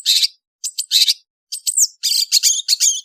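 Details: Indonesian long-tailed bird in the afternoon, giving loud, harsh, scratchy bursts mixed with a quick high downslurred whistle, then a dense run of rasping notes.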